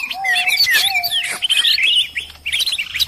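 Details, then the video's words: Greater green leafbird giving a busy, chattering run of varied high chirps and sweeping whistles, notes tumbling over one another, a lower clear whistle at the start; a noisy call mix assembled for luring birds. "suara burung ribut || burung ijo ribut"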